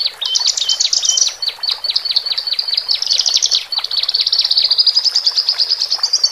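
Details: Song of male and female Horsfield's bush larks, meant to calm birds just taken from a flock into a cage: rapid, rattling series of high clicking notes rising and falling in pitch, almost without pause.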